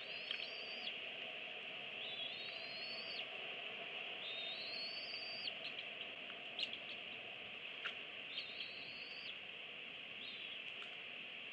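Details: Eagle parents feeding two eaglets, 25 and 26 days old, on a nest camera, 24 April 2017. Thin high notes rise upward and then cut off. They repeat roughly every two seconds over a steady background hiss.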